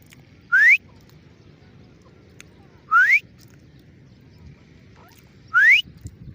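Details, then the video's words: Three loud upslurred whistles from a grey francolin, spaced about two and a half seconds apart, each sweeping steadily upward, with faint low background noise. "Gray Francolin ||gray Francolin sound|| irani teeter ki awaz"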